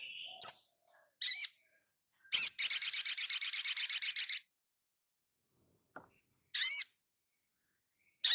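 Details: Crimson sunbird in full song: scattered high, piercing chirps, then a fast buzzy trill of rapid repeated notes lasting about two seconds, followed by more isolated chirps.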